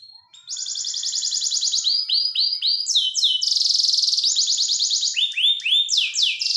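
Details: Canary singing a master song for training: after a short quiet start, it launches into rapid high rolling trills and tours of quick falling whistles, switching pitch and texture every second or two without stopping.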